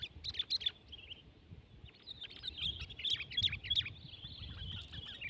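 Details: A sooty-headed bulbul in a tense fight-style contest of a 12-month-old bird against a rival trades quick, high chirps and short whistled phrases, about three notes a second, in a dense exchange over a low outdoor rumble.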